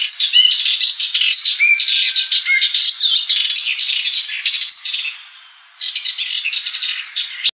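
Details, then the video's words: A European robin, recorded March 13, 2013, sings a dense, liquid run of high thin whistles and trills, tumbling from note to note with scarcely a pause. "rouge gorge"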